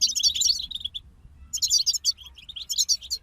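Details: European goldfinches singing as a group: two dense bursts of tinkling, buzzy twitter separated by a brief pause, with a soft low background rumble.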